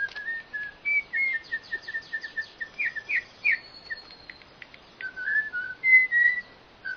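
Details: Whistled bird song: a rapid series of short clipped notes, then varied slurred phrases and longer pure whistles, some steady and some falling, sung continuously with little pause.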